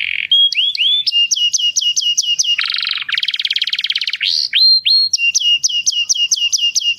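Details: Canary song meant to excite females for breeding: upslurred whistles, then a low buzzy roll, a dense fast rattling trill, and a return to crisp repeated clipped notes.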